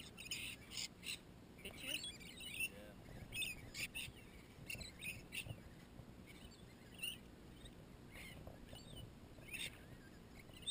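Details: Wild lorikeets feeding on bread with melted marshmallow at 7 am at a campsite on Lake Maroon: scattered harsh, short screechy calls in quick bursts, several birds overlapping, with a steady outdoor background.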